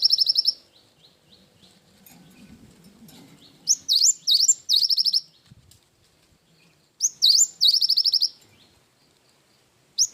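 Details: Gacor cinereous tit delivering 'isian wingko' song. High trilled notes open the clip, followed by a quieter stretch with soft low noise. Two strong phrases follow, each of swooping whistles and a fast, even high rattle.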